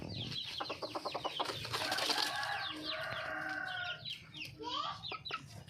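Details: Wild hen, a red junglefowl, calling for a male mate: a quick burst of rapid, evenly spaced clucking pulses for about two seconds, followed by scattered sharp chirps and whistled notes from other birds in the background.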